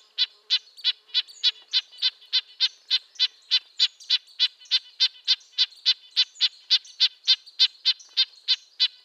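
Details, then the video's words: Even sequence of brief nasal, tin-horn-like notes from a red-breasted nuthatch, evenly spaced at about three per second throughout. "Red-breasted nuthatch sounds, Sounds of the Canadian Nuthatch"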